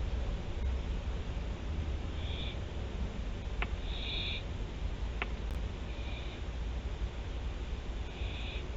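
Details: On 24 September 2021 at Théding, France, barn owls give four to five short hissing calls of uneven strength, punctuated by two sharp clicks, above a droning background.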